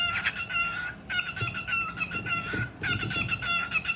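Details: Cockatiel (Nymphicus hollandicus), one of two pet cockatiels indoors amid jealousy over a new bird, gives loud, harsh, ringing calls in three drawn-out bursts over a low indoor murmur.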